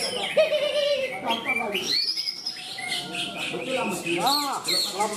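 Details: A greater green leafbird that won best in three consecutive songbird contests pours out a fast, varied song of slurred whistles, rising sweeps and chattering phrases, with faint voices or other birds behind.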